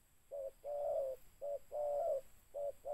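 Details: Tekukur (spotted dove) during bird catching with a decoy: alternating short and long husky coos in a steady rhythm over a quiet background hiss.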